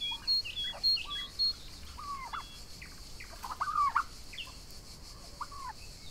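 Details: Young Royal Palm and Broad Breasted White turkeys grazing together outdoors on a summer day; short high peeping and yelping notes, some rising, scattered every half second or so over a steady background hiss, with softer chirps between.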